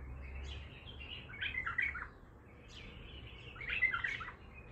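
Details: Raw, untrained bulbul in the Baghdadi style giving two warbled phrases about two seconds apart, each a quick bubbly cluster of notes. The song is somewhat quieter against a steady low background hum.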